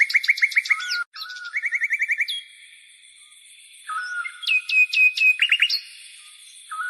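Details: Dawn birdsong: quick runs of repeated chirping notes, then a high sustained whistle, a lower slurred note and a few rapid trilled bursts, all over a faint continuous high-pitched tone.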